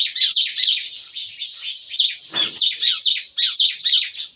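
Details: Morning song of captive bar-winged prinias in an aviary, the lively chatter likened to gunfire: a dense, unbroken run of shrill, clipped high chirps with one short low thump midway.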